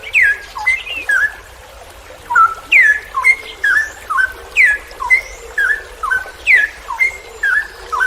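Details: Cucak rowo (straw-headed bulbul) in a long ropel panjang song for hobbyist training: bubbling sequences of loud downward-sweeping whistles and short upslurs, a brief pause near two seconds, then continuous rapid phrases.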